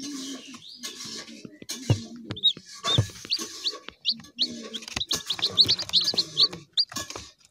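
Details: Chicken (Gallus gallus domesticus), chick peeps.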